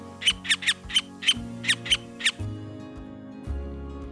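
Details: White-fronted woodpecker (Melanerpes cactorum) giving its usual call, about eight sharp, high, nasal notes loosely repeated in pairs over two seconds, with soft background music throughout.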